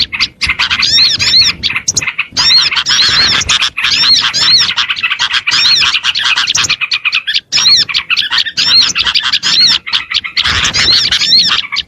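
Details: Oriental white-eyes singing to lure other small birds: a dense, continuous stream of high, buzzy chirps and looping whistled notes, broken by a few short gaps.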